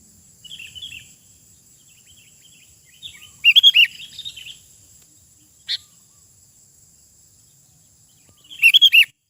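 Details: Sooty-headed bulbul singing in the wild: short bubbly phrases of a few warbled notes, the loudest around four and nine seconds apart, with a single sharp note between and a steady high insect-like hiss throughout.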